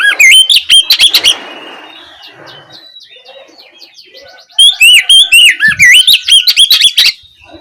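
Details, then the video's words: Evening lure recording of an Oriental magpie-robin singing in the ngeplong style: an opening volley of loud whistles, a hushed pause with faint twitters, then a long run of varied, swooping whistled phrases. "Pancingan suara Kacer ngeplong sore hari untuk merangsang Kacer supaya lekas nyaut bunyi"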